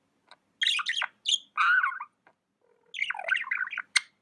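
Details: Indoor pet budgie giving busy, scratchy warbles: tumbling chirps mixed with a longer rolling squawky phrase, a short pause, then another fast jumble of chattering notes ending with a single sharp click.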